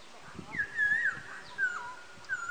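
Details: Black-throated laughingthrush, recorded 14 August 2015, giving three clear, slurred whistles, the first long and wavering, the others shorter and falling, about a second apart; faint background murmur.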